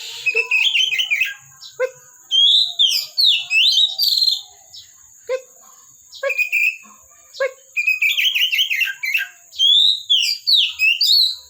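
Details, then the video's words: Kept Oriental magpie-robin (kacer) singing at length: bursts of sweet whistled and slurred phrases broken by short sharp chips, repeated in varied groups over about eleven seconds; faint high constant tone. "KACER GACOR"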